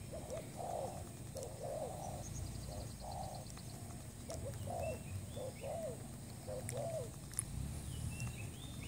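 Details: Spotted dove call used as a trapping lure, from a new bird: a steady series of soft, hoarse coo phrases, each falling at its end, repeating through the recording over a low rumbling background with faint high chirps of other birds.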